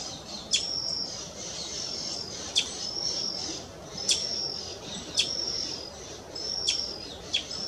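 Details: Brazilian tanager gives sharp, high metallic chips about every 1–1.5 seconds, each with a thin whistled tail, over steady insect hiss in restinga at Guaraú, São Paulo, Brazil, 3 June 2024.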